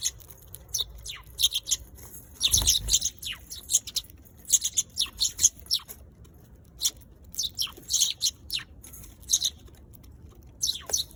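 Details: Eurasian tree sparrow chirping steadily in irregular runs of bright, high notes, several with falling tails, plus a brief low thump early on.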